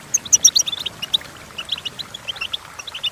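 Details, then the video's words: Goldfinch song used for teaching goldfinches to sing: short, sparse high twitters and chirps, single bright notes spaced irregularly over three seconds against a faint background hiss. "The Entrancing Song of Goldfinches"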